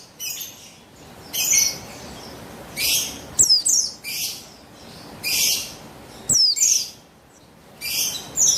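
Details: Female buxtoni white-eye, a caged bird whose voice serves as a lure for males: repeated bursts of high, harsh chirps and thin downslurred notes, about once a second.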